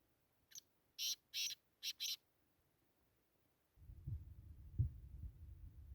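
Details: Black francolin giving a quick rasping phrase of five high buzzy notes, faint first note then two long and two short, followed by silence and then low rumbling noise.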